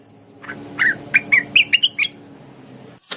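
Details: Olive-winged bulbul singing, used to spur others of its kind into full song: a brief run of six or seven clipped notes, each climbing slightly higher, then silence and a sharp click.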